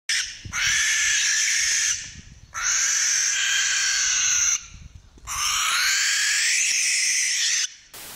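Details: Barn owl (Tyto alba) giving three long, harsh, hissing screeches, each about two seconds, rasping and breathy with short silences between.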